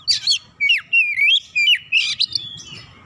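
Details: Oriental magpie-robin in full song after being described as lazy and slow to sing: rich buzzy bursts alternating with fluid whistled slurs and sweeping notes, delivered in a rapid varied sequence over a faint low rumble.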